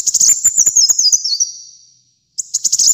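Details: Kolibri muncang sunbird singing energetically for masteran and pikat: a rapid jingling phrase stepping downward, a short gap, then another sharp twittering burst begins.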